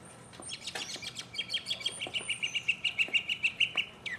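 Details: Solo mockingbird song from 2015: a rapid series of identical sharp notes, about three per second, held at one steady pitch, after a burst of mixed chirps and higher whistles.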